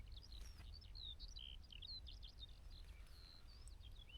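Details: Eurasian skylark song, a fast, unbroken stream of high twittering and whistled notes, fairly distant, over low wind rumble; on a hill in the Brecon Beacons, 3 March 2025, among sheep, with meadow pipits also present.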